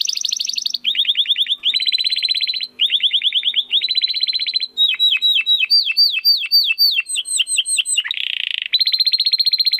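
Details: Loud, continuous domestic canary song in crystal-voice style for training competition birds: a high rolling trill, repeated rattling tours broken by brief pauses, a run of falling sweeps and a final buzzy roll.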